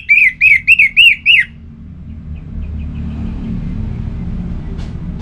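An orange-headed thrush gives five loud, arched, whistled notes in quick succession, followed by fainter echoing notes and a low traffic rumble.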